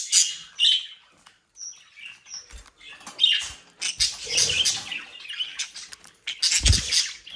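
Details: Young budgerigars bred at home, playful and mischievous, in the Den Haag region of South Holland, Netherlands: scattered high chirps and warbles mixed with wing flutters and rustling.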